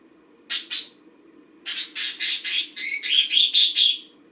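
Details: A pet green budgie in its daily routine gives a pair of harsh notes, then a longer string of rasping pulses turning into whistled, ringing chirps near the end.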